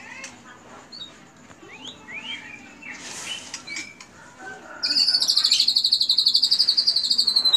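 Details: White-rumped shama in full 'tembakan' cililin material: scattered rising whistles and chips, then a sudden loud, very high, rapidly pulsed trill held for nearly three seconds.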